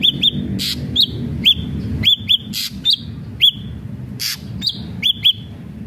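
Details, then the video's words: Ashy drongo song of paired, arched whistled notes repeated at irregular intervals, broken by sharp clicking bursts, with faint low background hum. "srigunting abu abu gacor"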